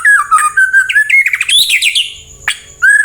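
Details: White-rumped shama, song played so other birds reply and sing: loud continuous flowing whistles and warbles that climb higher, then a sharp click and a final clear whistle.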